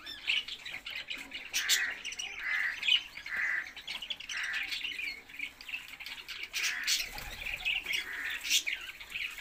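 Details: Several budgerigars calling at once: scratchy warbling chatter broken by brief high chirps, with short harsher squawk-like notes repeating through the recording.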